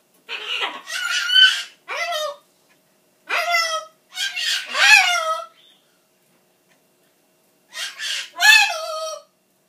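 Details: Indoor pet macaw yelling "bye bye" in a tantrum when it thinks its owner is leaving: repeated loud, harsh two-part shouts with falling harmonic pitch, in clusters, then a pause and a final pair.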